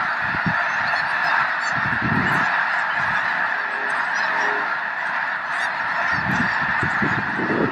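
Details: Huge snow goose flock at Loess Bluffs National Wildlife Refuge on a clear February day in 2020. Continuous overlapping honking from countless birds, with intermittent low rumbles near the start and end.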